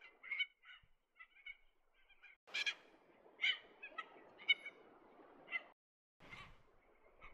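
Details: Red-tailed tropicbird in courtship flights over the cliffs of Lord Howe Island in a sea breeze, giving harsh, rasping squawks in short bursts about one a second, with louder screeches over a soft hiss.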